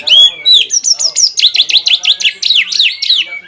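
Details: Greater green leafbird in energetic song used to provoke a rival: a long clear whistle, then a quick series of repeated downslurred, V-shaped notes about five per second, bright and ringing.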